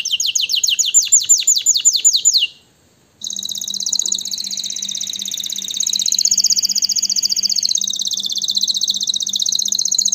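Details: Canary singing fast downslurred trills, a short silence, then a long buzzy rolling trill with a steady low hum beneath it.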